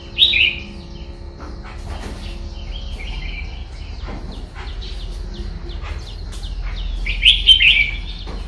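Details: Red-whiskered bulbul in đá lân style: a loud warbled burst at the start, scattered soft chirps and clicks through the middle, then another rich, fast warbling phrase near the end, over steady low background noise.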